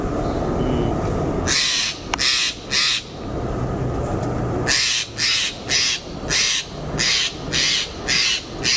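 Steller's Jay giving harsh, raspy shook notes: a short burst of three, then a quick run of about eight, roughly two a second, over a low hum.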